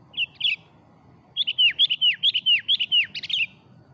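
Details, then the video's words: Sooty-headed bulbul used as an afternoon lure: two brief whistles, a pause, then a lively series of about ten quick, bubbly notes with sharp down-slurred whistles. "Suara Burung kutilang pikat gacor sore hari"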